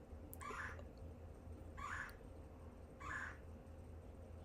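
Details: Red-bellied woodpecker calling loudly from right on a house window: three short, harsh, rolling calls about one and a half seconds apart, over steady low background hum.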